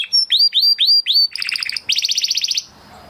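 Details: Crested Spanish Timbrado canary from 2020 breeding, training song: four loud rising whistled notes, then fast bubbling pulses and a rapid rattling trill that ends abruptly.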